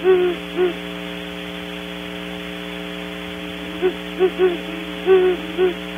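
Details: Great Horned Owls hanging around a Barn Owl nest site at Audubon Starr Ranch, California, give deep, soft hoots: a couple early, then a rhythmic series of four or five hoos, over a steady electrical hum.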